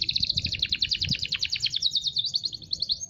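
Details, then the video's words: Local canary song: one continuous, rapid chattering trill of bright, high pulses, slightly wavering in pitch and ending with a brief thin whistle. The background is clean. "Burung Kenari Lokal"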